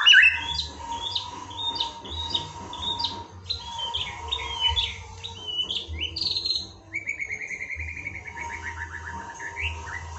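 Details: Murai (white-rumped shama) masteran song, recorded to train birds to sing readily: quick series of high chirps and short whistles, then a fast descending trill of repeated notes, over a constant low hum.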